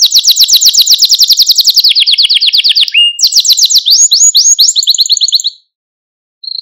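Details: Male Maltese canary song played to stir other canaries and teach young birds: a long, very fast trill drifting lower, a short break, then chopped rising notes and a steady trill before silence and one final note.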